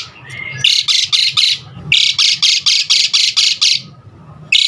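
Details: Asian pied starling, its call used to get other starlings singing, giving loud harsh rasping squawks repeated about every quarter second in two long runs with a short pause between.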